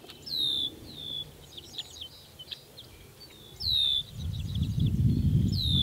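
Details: Red-winged Blackbird giving a high, clear down-slurred whistle twice, about three seconds apart, at a silvopasture farm with hay fields and planted tree rows where blackbirds nest and dive-bomb walkers; softer chips from other birds, low wind rumble.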